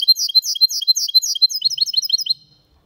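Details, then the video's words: Goldfinch-canary mule in clean Malaga-style song: a rapid stream of high, liquid whistled slurs, about five per second, softening slightly toward the end before stopping after roughly two and a half seconds. "Mixto de Jilguero Cantando Limpio (Video HD)Mulet de Chardonneret X canari /hybrid goldfinch singing"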